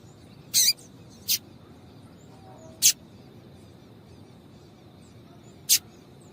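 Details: Female double-collared seedeater calls meant to excite a male: four brief, sharp, very high chirps, a close pair at the start, then single notes spaced widely apart, with long quiet gaps and a steady faint hiss.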